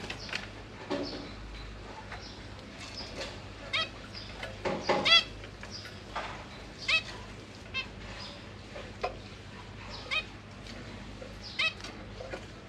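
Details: Captive zebra finch family in a cage, parents feeding three juveniles and three newly hatched young, recorded on a GoPro Hero 8: scattered short nasal, harmonic chirps at irregular intervals over a steady low electrical hum.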